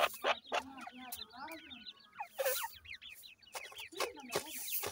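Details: Captive black francolin chicks give rapid series of thin, slurred, upward-sweeping cheeps in quick bursts, interrupted by sharp clicks and faint background speech.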